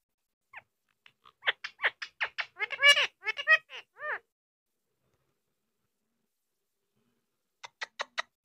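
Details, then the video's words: Pet Indian ringneck parakeet talking indoors, with a rapid run of about a dozen short, bright, harmonic syllables, then a pause and four quick clipped notes at the end. "Funny Talking Indian Ring neck Parrot"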